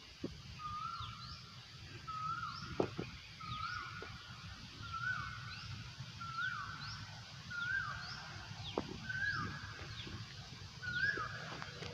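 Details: Asian koel calling in a rubber plantation: a steady series of clear, level whistled notes, each ending in a short upward flick, repeated about every 1.3 seconds, with faint higher rising chirps and a low rural rumble behind.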